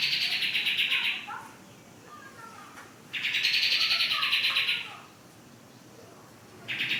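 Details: Pied triller (kapas tembak) after one month of care: long buzzy, rattling trills lasting over a second each, repeated after pauses of about two seconds, with faint softer notes between them.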